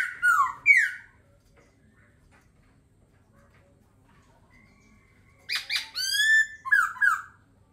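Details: Laughingthrush giving two loud slurred whistles, then silence, then a burst of harmonically rich, rapidly descending and bouncing whistled notes ending in short warbled phrases.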